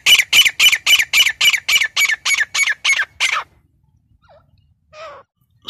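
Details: Grey francolin, called teetar, giving a rapid series of about thirteen harsh, loud, evenly spaced notes, roughly four per second, then stopping; a few faint, lower squeaky sounds follow in the quiet.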